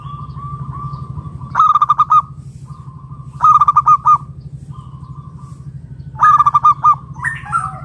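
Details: Local wild-type zebra dove singing loudly to lure other doves into calling: three bursts of rapid, rich, pulsed cooing notes roughly every two and a half seconds, over a thin steady whistle and a constant low hum.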